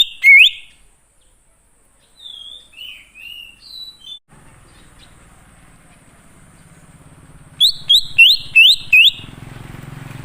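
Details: Lure song of a wild greater green leafbird meant to make wild birds reply: an opening rising whistle, soft scattered whistled notes, then a rapid string of rising slurs over a low engine-like hum.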